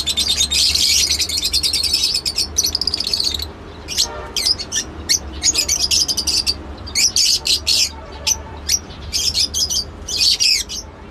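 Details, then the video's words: Shrill, high-pitched lovebird chirps come in fast clusters, loud and continuous at first and then breaking into short bursts separated by brief pauses, with a low background hum. "love bird sounds"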